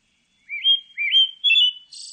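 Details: Pale thrush song recorded in 2020 (Korea): three clear, slurred whistled phrases, each lifting then holding, about half a second apart, ending in a brief hissing, buzzy note.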